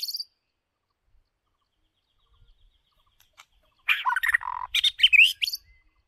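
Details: White-rumped shama decoy bird giving a short rich burst of song after near silence: rapid harsh, buzzy and whistled notes run together for about two seconds.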